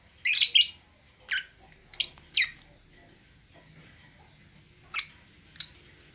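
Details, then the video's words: Young lovebirds calling in the ngekek style, used to prompt silent birds to sing: short, harsh, high chirps in clusters, with long quiet gaps between them. "suara lovebirds ini bikin lovebirds yg macet bunyi langsung gacor ngekek"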